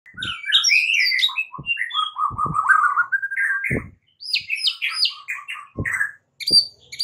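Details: White-rumped shama (murai batu) in the morning, a lure song of a shama learning to fight: continuous varied whistles, slurred trills and chattering phrases, broken by short pauses, with occasional dull knocking thuds.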